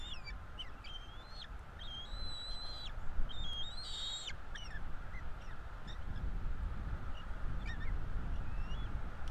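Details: Bald Eagle eaglets, two chicks, at a Florida nest during feeding on 5 April 2022. A few high whistled calls come early, then only scattered faint chirps, while a low rumble of wind grows louder.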